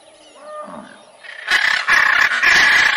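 A macaw gives harsh, raspy squawks in three or four loud bursts, after a faint, quiet opening.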